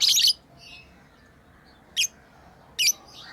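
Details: Playing pet lovebirds give a loud harsh chirp burst, then two short shrill chirps spaced under a second apart.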